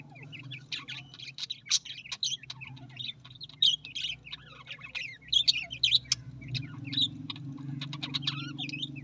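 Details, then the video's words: Continuous excited twittering from Australian parrots, with many overlapping short chirps, rising whistles and clicks over a steady low hum that grows louder toward the end. "Australian parrot voice"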